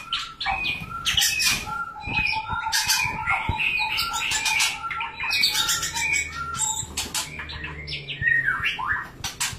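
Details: Busy, excited white-rumped shama song during mating, with dense whistled and chattering notes tumbling over one another and frequent wing-flap bursts throughout.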